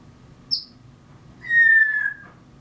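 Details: African grey parrot mimicking mockingbirds: one short high squeak, then a loud, clear sustained whistle that drifts gently downward for nearly a second, over a low hum.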